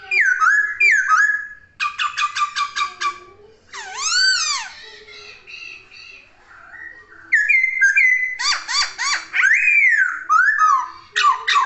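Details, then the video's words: Laughingthrush in energetic song, a varied run of loud whistled phrases: rapid rattling stacked notes, swooping arched whistles and descending slurs, with a brief quieter pause midway before the bursts resume. "Kicauan Poksay Gacor!"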